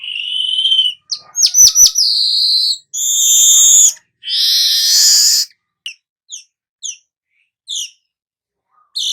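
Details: Manyar weaver singing in the 'nyerut' style: a buzz and ticking notes, then loud harsh sizzling phrases, followed by short separate high chips spaced about half a second apart.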